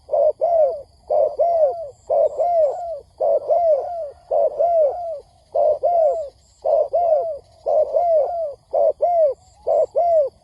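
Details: Spotted dove calling on a trapping lure recording to provoke wild doves: low hollow double coos, each second note drawn out and dropping, repeated roughly every second, sometimes overlapping, with soft high peeps in the background.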